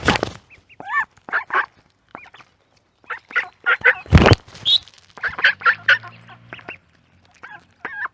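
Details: Ducks with ducklings in a pond; harsh, broken quacks and honking calls come in uneven bursts, some loud broadband blasts, with short silent gaps between groups.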